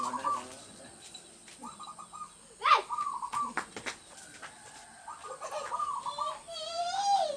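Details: Local zebra dove singing in a rural village setting, with recordings like this used as a lure for trapping doves. Short, slightly rough cooing phrases come in several bursts, mixed with chirps and clicks from other birds and a faint high background hiss.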